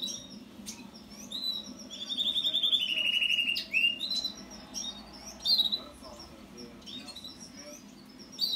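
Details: House finch delivering a rambling warbled song: scattered chirps, then a rattling buzzy trill that steps lower, followed by sharp rising whistles and clipped notes against a constant low hum.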